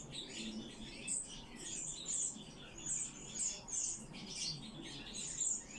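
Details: Rescued common chaffinches indoors: bright high-pitched tweets and brief squeaky notes come in loose clusters roughly twice a second at times, with soft low rumble underneath.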